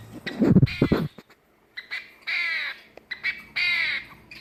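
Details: Captive male long-tailed finch, also called shafttail finch, housed in a flight and making its crow-like courtship sound: harsh, buzzy, harmonic-rich caws. Two longer drawn-out caws near the end follow low thumping noises at the start.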